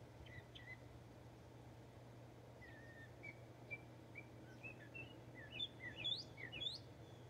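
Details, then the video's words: Northern mockingbird in Texas delivering a varied song: soft whistled notes at first, building to louder, sharper rising and falling chirps near the end, with a steady low hum underneath. "Texas Mocking Bird Song"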